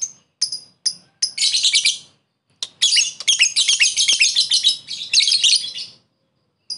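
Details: Lovebird calling a rival, ngekek lure: a few sharp chirps lead into long stretches of rapid, shrill, pulsing chatter lasting several seconds with a brief pause between runs.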